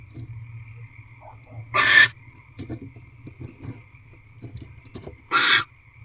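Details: Female barn owl in an owl box, recorded 1 March 2023 at 6:44 pm while eating a rodent brought by her mate, letting out two harsh hissing screeches about three seconds apart, with a faint steady electronic whine and soft rustling.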